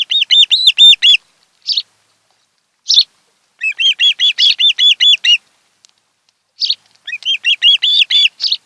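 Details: Osprey couple at their Kent Island, Maryland nest, 26 July 2018, afternoon: bursts of quick, high, whistled chirps in runs of six to eight notes, separated by pauses and a few single rough notes.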